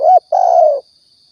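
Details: Spotted dove from Riau, a hunting lure recording: a single phrase made of a short rounded coo followed by a drawn-out, slightly falling cooo, with a faint steady high whine behind.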